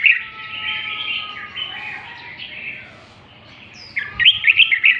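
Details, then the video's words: {'__e': 'Red-whiskered bulbul from northern Vietnam, lân tê song style: a smeared, continuous warbling passage fades out, then a sudden burst of sharp, bright whistled notes closes the phrase.'} "Chào mào Bắc lân tê, giọng siêu chất"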